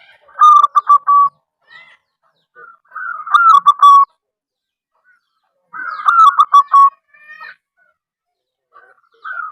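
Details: Local wild zebra dove giving a strange call used to lure and stir other zebra doves into calling: bursts of rapid, throaty, pulsed cooing notes, each phrase about a second long, repeated roughly every three seconds with short soft notes between.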